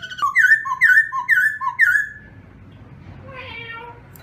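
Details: Captive black-throated laughingthrush singing at dawn as voice training: four paired whistles, a high slur followed by a lower note, then quiet soft warbling fading away.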